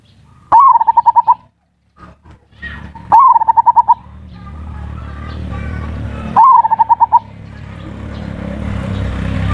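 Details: Zebra dove lure song in ngerot and kuwor style, used to stimulate breeding and coax lazy birds to call. Three phrases, each a rising note then rapid pulsed coos, with clicks and growing low background noise.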